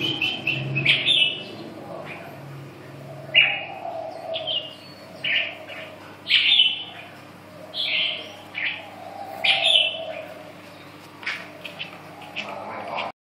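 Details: Red-whiskered bulbul singing loud, clear whistled phrases of a few warbling notes, repeated every one to two seconds with short gaps, against a steady low hum.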